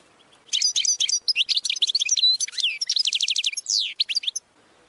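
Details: Goldfinch training song: a fast, continuous tumble of tinkling twitters, buzzy trills and rapid descending slurred notes, delivered in one long unbroken phrase.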